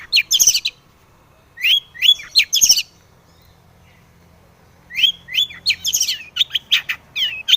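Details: Cendet (long-tailed shrike) in full loud song, used as a lure to make other shrikes sing; quick clusters of sharp chattering and squeaky notes, then a pause and a longer varied run of twittering phrases.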